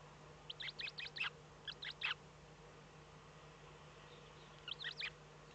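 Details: Eurasian eagle-owl in the Eifel, Germany, on 8 April 2014 at 05:36, when the first chick hatched. Short, high, chirpy notes come in quick clusters of three to five, with a pause before a final group, over a steady low hum.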